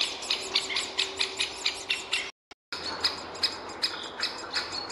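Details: Great spotted woodpecker nestling and parent at the nest hole: sharp, high, scratchy chirps repeated about every third of a second, broken by a brief silent gap midway, over a faint low hum.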